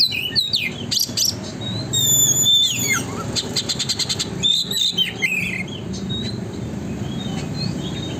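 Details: Oriental magpie-robin in rapid chattering 'konslet' song, used as a lure to make a magpie-robin spread its tail: high whistles and sliding notes mixed with fast rattling click bursts over a steady low rumble.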